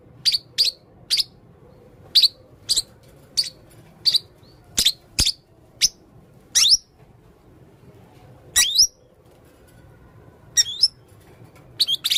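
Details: Repeated high, thin chirps roughly every half second, then a few longer rising squeals, from a male blue-crowned hanging parrot with red throat, calling actively.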